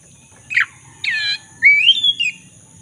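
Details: Lively Black-throated magpie-robin song used to coax a silent bird back into singing: a harsh rasp, a buzzy churring note, then a long rising whistled phrase with trills.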